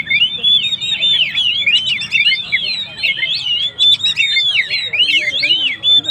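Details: Oriental magpie-robin singing hard, used to make stressed birds fired up: tight run of wavering whistles and swooping slurred notes, loud, with a few brief gaps.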